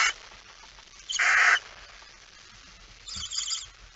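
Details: Night-time barn owl recording, 17 September 2019, as a male delivers a mouse: one loud rasping screech, followed by a fainter, shorter hiss about one and a half seconds later.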